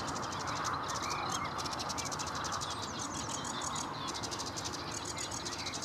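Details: Sedge warbler song from Vange Marsh RSPB in May, a rapid scratchy chatter of repeated buzzy trills with brief pauses and a few whistled notes, set against constant low-pitched background noise.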